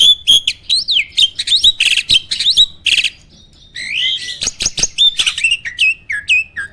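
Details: Caged starling with a filled, mimicking contest song: ringing whistles, buzzy rattles and sharp clicks in quick succession, a brief pause, then another loud burst of varied notes.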